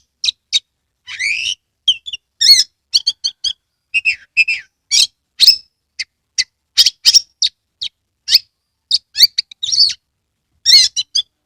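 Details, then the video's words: Oriental magpie-robin from Kebumen, Central Java, tail spread wide: sustained lively song of rapid high chirps, whistled slurs and harsh buzzy notes, delivered in quick varied succession with only brief pauses. "Kacer gacor TANPA IKLAN buka ekor full konslet"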